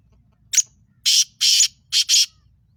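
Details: Black francolin, called Sindhi kala tetar, giving a harsh, grating call: one short rasp, then two longer scraping notes and a quick closing pair of bursts, over a faint low background hum.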